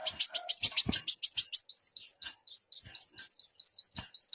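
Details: Brown-throated sunbird song: a quick run of high, buzzy chipping notes, then a series of short rising slurred whistles repeated about three times a second, all very high-pitched.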